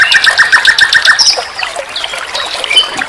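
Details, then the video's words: Common nightingale on a training recording for songbirds: a fast run of about eight repeated notes on one pitch, then quieter scattered whistles and chips. "Masteran SIKATAN LONDO || NIGHTINGALE BIRD, Guru vokal semua burung kicau."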